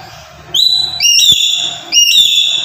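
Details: Black-capped lory used as a lure for trapping birds: two loud whistles that step upward in pitch, each held and then tapering, over a low background rumble.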